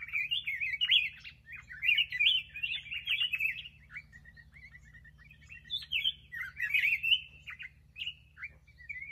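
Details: Black-crested bulbul delivering lively warbled phrases of quick, slurred whistles. A short sequence of evenly spaced soft chips links the louder bursts of song.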